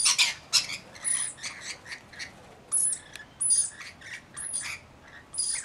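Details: Mixed flock including about 40 Rainbow Lorikeets looking after a lone baby: loud, raspy squawks and chatter, several birds calling over one another in uneven bursts.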